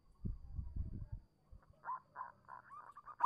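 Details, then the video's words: Zebra dove of a local strain, its song used as a lure to draw replies from doves that have stopped singing: after some low thumping noise, a series of rolling, vibrating coos repeated about every third of a second. "suara burung perkutut lokal manggung pancingan cepat nyaut untuk perkutut macet bunyi"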